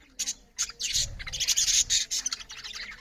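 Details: Budgerigars chirp loudly as they eat: short, sharp high chirps at first, then a dense run of scratchy squawking chatter.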